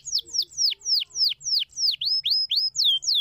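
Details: Canary singing to encourage other canaries: a steady series of loud, clear downward-sweeping whistles, about four per second, with a few flatter notes near the end.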